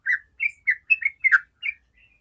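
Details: Short 'ropel' phrase from a sooty-headed bulbul, played to draw song from other bulbuls: seven clear warbled whistles, each slurred up or down, the last one fading softly.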